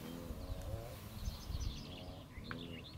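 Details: Male kori bustard (Ardeotis kori) puffed up in courtship display, southern Serengeti NP, Tanzania, gives deep, low booming notes, two bursts about two seconds apart, over rumbling wind with faint small-bird chirps; courtship boom.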